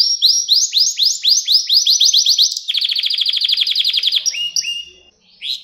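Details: Canary song recorded to train young canaries: steady rising whistled syllables about four per second, then a long fast rolling trill, a short pause and a final rising note.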